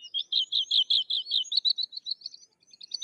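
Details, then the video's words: Sykes's lark from India singing a fast series of high, rhythmic chirping notes, about two and a half per second, steady in pitch then breaking into scattered higher twitters. "Sykes's Lark or Twany Larks Singing - Songs - Call - Sounds"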